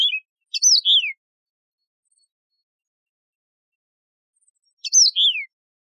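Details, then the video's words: Yellow-fronted canary, a wild canary known in Algeria as Mozambique serin, gives two short bursts of clear, ringing, downslurred whistles about four seconds apart, with silence between. "شريط تغريد البسبوس الموزمبيقي"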